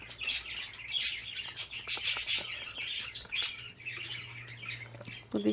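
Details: Young budgerigars, fifteen chicks in one spot, keep up a continuous scratchy chirping chorus of short high notes, with a steady low hum beneath and a brief lower sound at the end.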